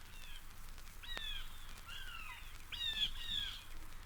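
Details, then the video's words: Adult fish crow at Mountain Lake Sanctuary, Lake Wales, Florida (1970 record), a call often confused with a young common crow's cry: several short, nasal, slightly falling caws, some doubled, about a second apart, over low hiss. "Some people confuse this call with the cry of a young common crow, but he's the adult fish crow."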